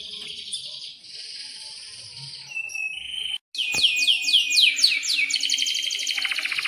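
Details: Canary in breeding condition singing a long roll: buzzy sustained trills and a whistle, then a quick series of sharp down-slurred notes and a rapid rattling trill.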